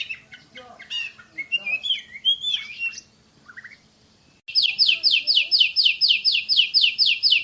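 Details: Oriental magpie-robin (kacer), a champion bird, sings fast, tight 'tembakan' shooting song. Varied whistles and slurred notes give way, after a brief lull, to a rapid burst of identical high downslurred notes repeated about three per second.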